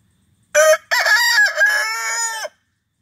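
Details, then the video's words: Single crow from a rooster, starting after half a second of quiet: clipped lead note, pause, then a sustained raspy harmonic call trailing downward for about one and a half seconds. "Beautiful Rooster Crowing for 1-minute"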